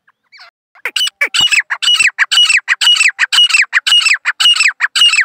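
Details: A grey francolin gives a loud run of harsh, strident, ringing calls. A few soft notes lead into a steady series of repeated grating phrases, roughly two per second, and the series continues to the end.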